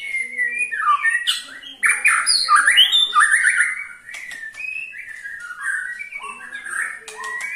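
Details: White-rumped shama giving ketrekan to stir other shamas into song: harsh chattering squawks and fast slurred whistles in dense bursts, easing into softer, scattered whistled notes with clicks.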